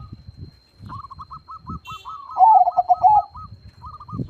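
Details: Zebra dove, described as a loud and vocal singer: a run of short, clipped cooing notes repeated quickly, joined midway by a louder, lower rolling trill, with soft low thumps underneath.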